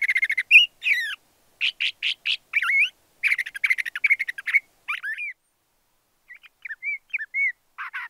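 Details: LeConte's thrasher singing a varied series of phrases: harsh buzzy chattering notes, quick whistled slurs and rising sweeps, with a pause before softer high whistles, in a quiet setting.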